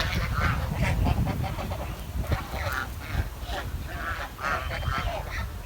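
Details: Village swan chirping: a run of short nasal, harmonic calls repeated irregularly, some clustered in quick pairs, over a steady low rumble of wind or handling noise.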